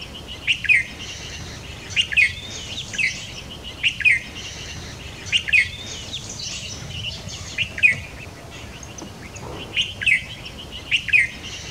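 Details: White-browed fantail flycatcher feeding its juvenile in a nest on a tree branch: bright, sharp two- and three-note chirps repeated every one to two seconds, around nine clusters, against a quiet hissing background.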